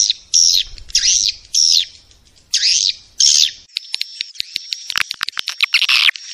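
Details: Swiftlet calling sound played to attract swiftlets: loud, buzzy, down-arching chirps in spaced bursts, then a quick run of sharp clicks over a steady thin high tone.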